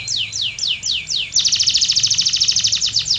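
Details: Canary singing: a run of loud descending whistled sweeps repeated about three times a second, then a fast high rattling trill of rapid notes.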